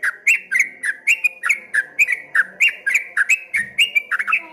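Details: Continuous rolling whistles from a streak-eared bulbul in 'ropel ngombak banyu' style, evenly spaced liquid notes about four per second, each dropping then lifting, over quiet low background noise.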